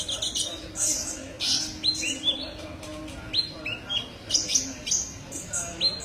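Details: Sunbird, known locally as kolibri ninja, in a tutoring recording for songbirds: thin, high chirps and short upward-sweeping whistles in quick bursts about twice a second, with a faint low hum underneath.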